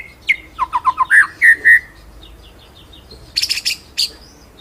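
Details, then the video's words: Ngeroll nembak white-rumped shama song used as a training master: a run of quick mid-pitched whistled notes ending in three longer slurred whistles, a pause, then a short burst of high chips. "BURUNG MURAI MASTERAN NGEROLL NEMBAK"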